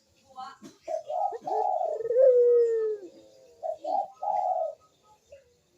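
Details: Actively cooing turtle dove giving 'kuk deruk' coos, recorded to stimulate birds reluctant to sing: quick rolling notes, then a long sustained coo sliding gently downward, followed by two shorter burbles.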